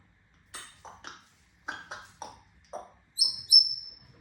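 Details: Grey parrot making a string of short clicks and chirps, then two loud, high, sharp whistled notes at the end, in a quiet room.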